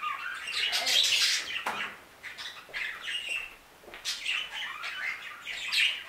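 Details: In an aviary, budgerigars twitter and squawk in loose bursts, rasping warbles rising and falling with several brief pauses and a few sharp clicks.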